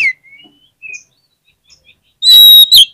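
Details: Kacer, the Oriental magpie-robin, in a lure recording to make reluctant birds reply: faint soft whistles at first, then an abrupt loud, buzzy whistled phrase with a strong sustained tone.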